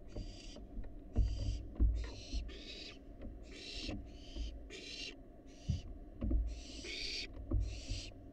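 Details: Rasping hisses come in quick, irregular succession from a wild barn owl fledgling at a monitored nest box, about ninety a minute, along with low knocks and thumps of movement.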